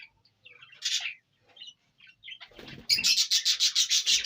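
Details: Indian ringneck parrot from Punjab, Pakistan, first a few soft squawks and rustling wing flaps, then a loud, steady series of harsh screeches repeated several times a second.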